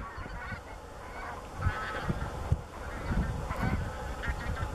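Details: Flock of Taiga bean geese in flight over the Slamanan Plateau, Scotland, on 16 November 2017, flushed by gunshots in the area: distant overlapping honking calls rising from a loud background of wind rumble.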